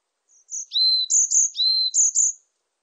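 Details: Varied tit song: thin high whistles alternating with slightly lower slurred notes, a quick sweet phrase of about seven notes lasting two seconds, clean with no background sound.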